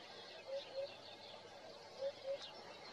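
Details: Morning song of a Eurasian hoopoe, recorded with a Nikon Coolpix P1000: two low, mellow paired hoots, 'oop-oop', then a pause and another identical pair, faint background hiss.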